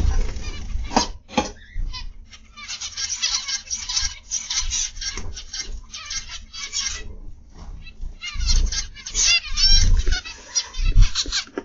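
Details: Several caged zebra finches in an aviary, recorded in the morning, keep up a steady stream of short, nasal, buzzy calls. The calls come in bursts and overlap, with faint thumps and a low background hum.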